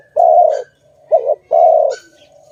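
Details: A dove from a trapping scene gives a long soft coo, a short wobbling note, and another drawn-out coo, with faint high chirps above.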